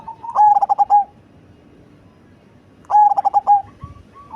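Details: Big-voiced, bass-toned perkutut cemani zebra dove singing two loud phrases of quick stuttering coo pulses, each finishing in a steady drawn-out note, separated by a quiet pause.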